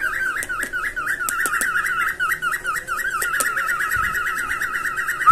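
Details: Breeding-stimulation cockatiel song, also meant to teach singing: clear repeated wavy whistled notes in a rapid, fairly even series, with faint clicks in the background.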